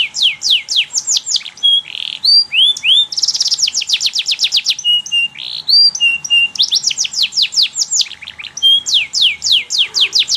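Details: Canary in full song, used as tutor song for young canaries: fast, high, sweeping downward notes in rapid trills, with buzzy rolled passages and short whistled slurs mixed in, nearly continuous throughout.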